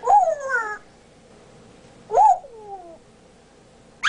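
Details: Pet male African grey parrot indoors, a speech and burp mimic, gives descending harmonic calls that slide downward, then a second falling call two seconds later and a sharp rising burst at the end.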